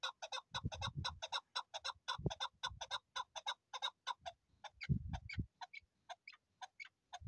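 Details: Chukar partridge repeating loud, rapid clucking notes in a chattering run that loosens into spaced, thinner calls, with occasional low bumps and knocks.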